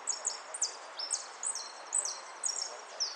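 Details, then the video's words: European goldfinch singing in a contest, repique style: bright, high, sharply slurred notes in short bursts, about two per second, over a steady soft background hiss. "amarillo de repique"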